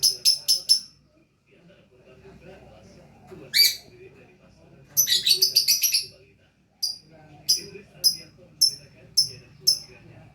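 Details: Lovebird mixing clipped high ticking notes with fast scratchy chatter bursts, then a steady sequence of sharp chirps repeated roughly every half second.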